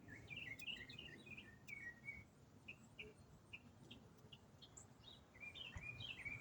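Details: Unidentified songbird singing in autumn, one bird delivering a long uninterrupted song at the same time of day for over a week; high, quick chirped and slurred notes in rapid varied phrases over a low background hum.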